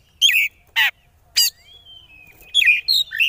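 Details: Kacer (oriental magpie-robin) konslet lure song to provoke rivals: three loud gravelly rasps in the first second and a half, a long thin whistle, then a quick run of twisting whistled notes.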